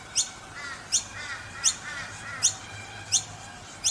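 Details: Young noisy miners in Brisbane; sharp, high squeaky notes repeat roughly every 0.7 seconds, alternating with softer, lower wavering chirps, over a faint low hum.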